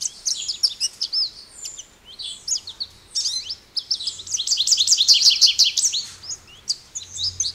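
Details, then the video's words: Continuous high twittering and warbling of an American goldfinch, varied rapid notes and trills in several bursts, with a faint low hum underneath. "American Goldfinch Bird Call Song | Goldfinch Bird Singing | Goldfinch Bird Sounds"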